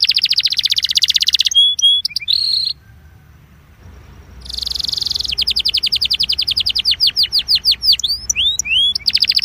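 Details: Belgian canary song used to warm up canaries: loud high trills, rapid repeated notes and swooping whistled phrases, broken by a short silent pause midway.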